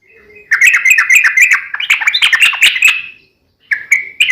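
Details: Sooty-headed bulbul singing in 'gacor tarung' fighting style, a lure to make other bulbuls respond: a burst of bubbly chattering notes, a short pause, then a few clear whistled notes.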